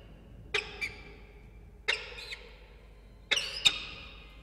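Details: Peregrine falcon on the FalconCam in Orange, NSW, Australia, 26 June 2021, around food: harsh, raspy calls in three quick pairs of two, spaced over a second apart, against a quiet background.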